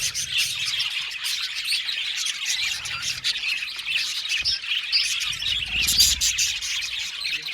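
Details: An aviary colony of budgerigars fills the air with busy, bright chirps and warbling twitters, many birds calling at once, with louder sharp notes near the end.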